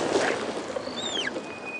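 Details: On a rainy morning safari drive at Djuma Game Reserve, South Africa, on March 12, 2016, a magpie shrike calls a brief, clear downward-sliding whistle, then a thin, steady high tone, over rushing hiss.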